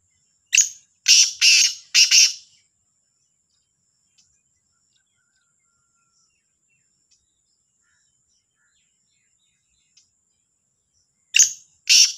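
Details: Black francolin calling in the morning at Sahiwal: two bursts of three harsh, rasping, broadband notes, one near the start and one at the end, separated by about nine seconds of near silence.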